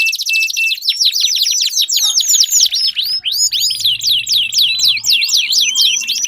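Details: Canary singing meant to start song in a silent canary. A short steady trill gives way to quick looping whistles and rapid repeated chirps, with a faint low buzz in the background.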